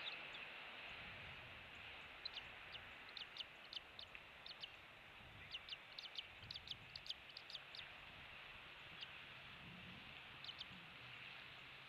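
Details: Nest-cam recording of an eagle on Captiva Island off Florida's west coast, morning of 16 January 2023, with a young chick in the nest: bursts of sharp, high staccato chips in loose clusters, against constant hiss.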